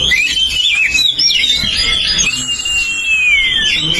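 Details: Oriental magpie-robin, champion bird, ngeplong song used as a lure: sweet whistles ending in a long smooth descending glide, with background hiss.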